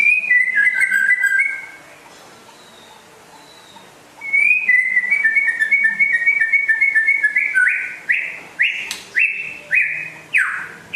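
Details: White-rumped shama from West Aceh, described as rare and vigorously singing: a whistled trill phrase, a quiet gap, a longer trilling passage, then loud upslurred notes repeated about once a second.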